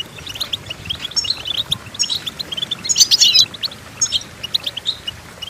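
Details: Goldfinch singing for tutoring goldfinches: scattered high chirps leading to a dense burst of rapid, tinkling twitter, against a slightly noisy background.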